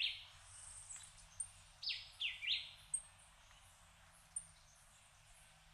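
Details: Puerto Rican emerald, a hummingbird endemic to Puerto Rico, feeding its chick. Short buzzy notes come in an irregular series of about five, with faint high ticks between them in a quiet setting.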